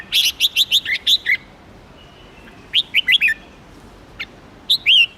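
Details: Red-whiskered bulbul singing: short bursts of quick, bright whistled notes, some rising and some falling, clustered in three phrases separated by brief pauses, over a faint background hiss.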